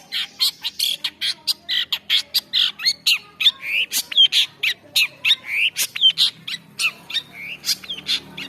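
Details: Long-tailed shrike delivering a fast, varied song: dense rapid series of harsh squawky and whistled notes, some rising and falling, pouring out continuously with little pause.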